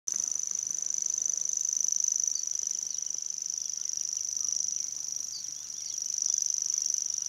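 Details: Grasshopper Warbler (Locustella naevia) reeling without a break on 3 May 2011 at Ezumakeeg, Lauwersmeer, Friesland: a very high, dry, insect-like trill hardly varying in pitch, with a few faint notes from other birds behind.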